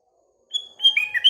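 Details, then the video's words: Sooty-headed bulbul in the morning: a thin steady whistle leads into a quick burst of bright, warbling notes that dip and rise. "Paduan Kutilang Dan Burung Sekelilingya (Bikin Gacor Bersaing)"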